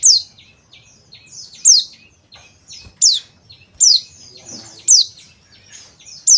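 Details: Calls of a male Bali dakun oriental white-eye used to lure other birds: steep high downslurred notes about once a second, interspersed with fainter short chips and trills, with a brief soft noise midway.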